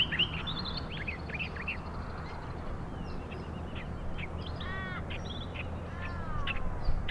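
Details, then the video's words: Australian reed warbler singing among reeds and long grasses at the water's edge of the lagoons in Morgan Conservation Park, eastern bank of the River Murray, South Australia: quick varied chattering phrases with rich rising notes, over a low rumble. "Inhabiting the water's edge, where it finds protection amongst the long grasses and reeds, is a bird which will be heard long before it is seen, the Australian reed warbler."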